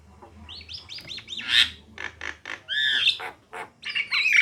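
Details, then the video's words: Javan myna pair, female and male, singing: a run of five quick arched whistled notes, then rasping buzzes, a loud two-part whistle and scratchy chatter. "suara kicauan jalak kebo betina dan jalak kebo jantan"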